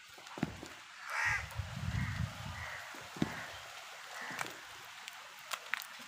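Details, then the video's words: Crow calling angrily while tearing a leaf, with crows fighting for food; one loud harsh caw followed by a run of shorter, fainter caws, clicks and taps in the background. "crow bird live crowing sounds | crow torns the leaf angrily |angry kauwa ki awaaz Crow Sound"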